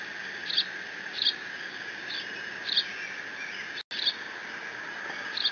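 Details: A bald eagle chick alone at the Decorah N2B nest, 30 June 2017, shields a fish from absent siblings while squeeing. High, sharp squeals recur about every second, with a brief gap in the sound near the end.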